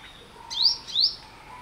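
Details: Olive-backed Sunbird giving two bright, thin, rising high-pitched notes in quick succession, under half a second apart.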